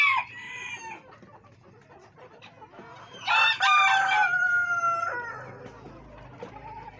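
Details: Silver Sebright hens kept on a fancy poultry farm in Pakistan, 11 February 2023, giving a short squawk, quiet clucking, then a loud, strained, tonal call lasting nearly two seconds, fading into soft clucks.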